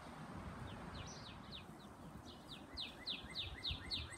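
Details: Brownish female northern cardinal calling to attract its mate: faint downslurred whistled notes early on, then a clearer, steady series of sharp descending notes repeated about four times a second, over a low outdoor rumble.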